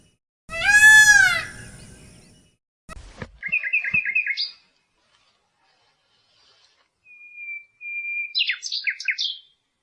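A peacock gives one loud, nasal, wailing call that rises and falls. Quick repeated chirps and thin whistled notes from other small birds follow.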